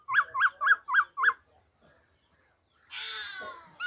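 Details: Black-throated laughingthrush on 26 December 2020, singing wild-type song: five identical rising-falling whistled notes repeated about every quarter second, then a rough, noisy, drawn-out phrase.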